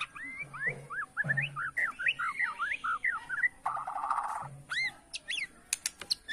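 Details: White-rumped shama from Borneo in bowing-style song to provoke rivals: quick rising and falling whistled notes, a buzzy burst, then high thin upward sweeps, over a low background hum.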